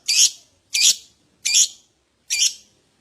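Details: Lovebird calling in a prompting recording used to coax other lovebirds into ngekek song: four loud, raspy, high chirps spaced roughly every two thirds of a second, with a clean, quiet background.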